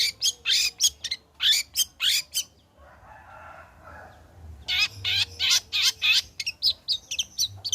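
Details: Long-tailed shrike in lively song after moulting, used to prompt others to sing: fast bursts of shrill, harsh notes, a break of about two seconds with a soft rasping sound, then the rapid high notes resume.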